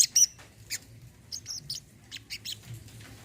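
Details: Sparse olive-backed sunbird notes, played as therapy for silent birds: a few very high, thin chirps and brief whistled slurs separated by short quiet gaps.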